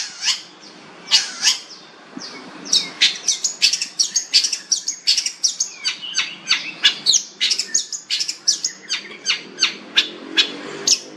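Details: Long-tailed shrike in a fast, varied song of sharp chirps, ticks and short high notes, tumbling on almost without pause and growing denser midway.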